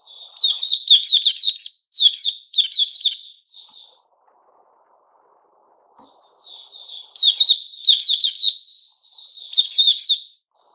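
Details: Song of a white-rumped shama recorded on 29 August 2021. Rapid strings of loud, bright whistled notes come in rhythmic bursts, fall silent for about two seconds, then resume with a soft lead-in and more vigorous phrases.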